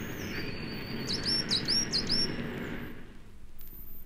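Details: Coal tit singing in January in British woodland, a species that usually sings from conifers inside broad-leaved woods: a quick run of four high, thin double notes, each pair rising then dipping, over a steady low hiss.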